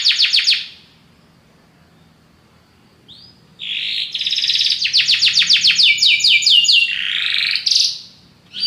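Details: Belgian canary song: a short trill, a quiet gap, then a long run of quick repeated descending notes ending in a rising slur.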